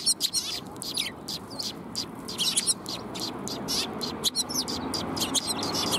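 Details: Several sparrows coming to be fed, recorded 20 March 2021; dense overlapping short high chirps and twitters from many birds over a steady background hum.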